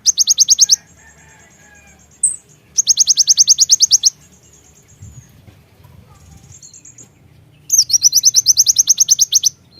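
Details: Javan myna calls used to stimulate other birds: fast, evenly repeated high rattling bursts of sharp notes, about a second long, separated by quieter pauses with thin whistles.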